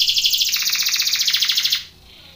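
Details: Belgian canary contest training song: a fast, high rolling trill of repeated notes that drops slightly in pitch midway, then stops, leaving faint background hiss.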